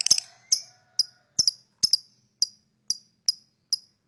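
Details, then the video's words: Lovebird chirping to lure other birds: sharp, high, clicky chirps with a buzzy edge, a quick cluster at first, then single notes spaced about every half second. "lovebird singing & chirping sound to lure other birds chirping"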